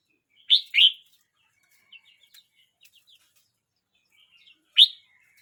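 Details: Red-whiskered bulbul aged 12 months 29 days utters two sharp rising chirps, then scattered soft twitters and a thin whistle, ending with one loud clear chirp trailing into a short note.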